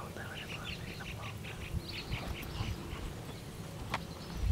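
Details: Sarus cranes, usually seen in pairs, in natural habitat at Bharatpur, India: a fast series of short repeated honking notes, about four per second, over the first three seconds, set against a heavy low rumble of wind or handling noise.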